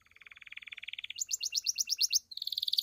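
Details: Pied Belgian canary in its 'campainha' bell song, meant to urge other canaries to sing and females into condition: a steady rapid trill, then a higher fast pulsed phrase, then a brighter high rattle.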